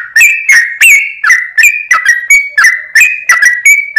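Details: Bright, bending whistles from a sooty-headed bulbul used as a lure, given about three per second in a lively, slightly uneven rhythm with a clean background.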